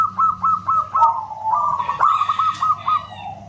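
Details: Local zebra dove giving its loud, whistle-like song: steady rapid trains of bright, hooked cooing notes, about four per second, with a lower overlapping coo and faint chirps of other birds behind a low hum.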